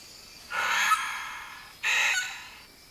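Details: A male Vogelkop bowerbird, a skilled mimic, gives two harsh, raspy screeches about a second apart, imitating a sulphur-crested cockatoo.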